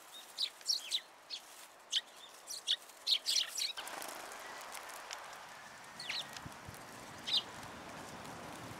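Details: Sparrows visiting a feeding platform at a Tenmangu shrine, 14 February 2023, to be fed; scattered short high chirps in the first half, then softer isolated notes under a steady rush of background noise.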